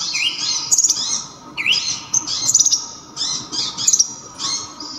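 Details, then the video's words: Local brown-throated sunbird (kolibri ninja) with a loud, sharp, very clear voice, in a recording meant for training songbirds: high, piercing twittered phrases, with rising upslurred notes and bursts of rapid trills, separated by short pauses. "KONIN ‼️ KOLIBRI NINJA ISIAN KAPAS TEMBAK"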